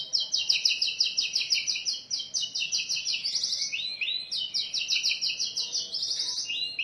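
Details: Oriental magpie-robin (kacer) in an ornate lure and master song for bird training, a continuous stream of rapid, high repeated whistled notes with slurred twists, set against a faint background murmur.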